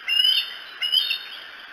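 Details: Bald eagle on the Decorah nest camera, 2 July 2018, in the early hours around 3 to 4 a.m.: two loud, thin, high whistles, each slightly rising and about a third of a second long, over a steady electrical hum.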